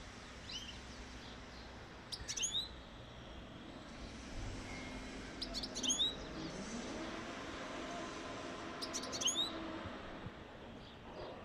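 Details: Singing European goldfinch, song meant to stimulate mating: three brief bursts of bright, high chirps and rising ticks, spaced a few seconds apart, with a continuous low hiss and faint rumble between them.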